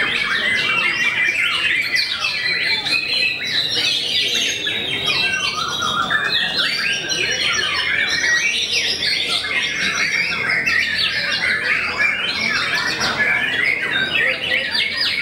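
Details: An extended stretch from a white-rumped shama whose singing reputedly intimidates rivals, a varied, continuous outpouring of fast trills, whistled sweeps and harsh chattering notes that never pauses.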